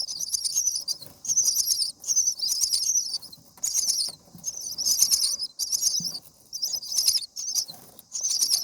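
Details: Common myna chicks in the nest, seven days old, calling to be fed: a steady run of scratchy, hissing bursts, roughly one per second, loud and high, with quiet gaps between.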